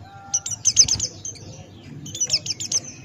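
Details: Buxtoni white-eye giving two quick clusters of high, clipped, downslurred notes over a murmuring low background.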